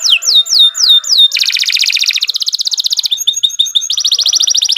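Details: Canary in long, continuous song for training other birds: repeated falling whistles, then a loud buzzy roll, a rapid pulsing trill, short chirpy phrases and another fast trill.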